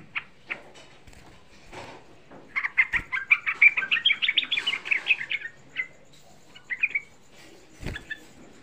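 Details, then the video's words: Lure song of a young sooty-headed bulbul, meant to provoke other bulbuls to answer. A few scattered notes build into a long, dense run of rapid bubbling chatter, then trail off into isolated chirps. "Suara Pancingan Trucuk Muda Ampuh Menaikkan EMOSI, Suara Trucuk Muda Bikin Semua trucukan EMOSI"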